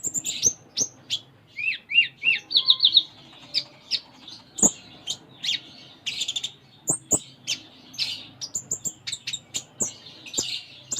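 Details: Sunda minivet, locally konin, in rich 'gacor full isian' song: a series of slurred down-up whistles, then many rapid sharp chirps and high ticks running almost without pause.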